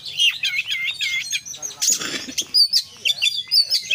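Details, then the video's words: Oriental magpie-robin singing in 'full isian' style: a string of looping whistled notes, a brief harsh scratchy burst, then spaced sharp chirps and short whistles. "kacer gacor KONSLET full isian"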